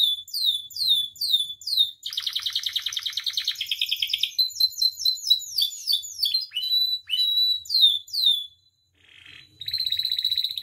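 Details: Captive canary song meant to train and provoke other canaries: descending whistled notes, then a long buzzy rattling trill, then quick chips and slurred notes, ending after a short pause with another rolling trill.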